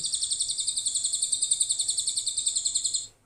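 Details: Lovebird song played from an MP3 to tutor a young shrike (cendet): a continuous, very high, buzzy trill of rapid pulses for three seconds, stopping abruptly, over a faint low hum.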